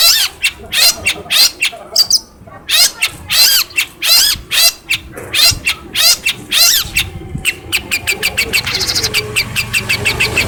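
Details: Hand-reared long-tailed shrike in captivity from Cilacap, trained on phone recordings to copy other birds, pours out varied harsh rasping notes and sharp chips, ending in a fast, even, high trill.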